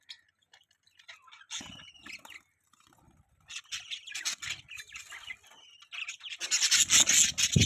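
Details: Budgerigars chatter in scattered high chirps and short buzzy notes. The sound thickens into busy overlapping twittering and ends in a loud harsh squawking burst.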